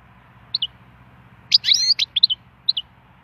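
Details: Wild European goldfinch singing in song stimulation: short bright chirps near the start, then a dense twittering burst with buzzy notes around the middle, followed by paired sharp tweets; faint steady low hum underneath.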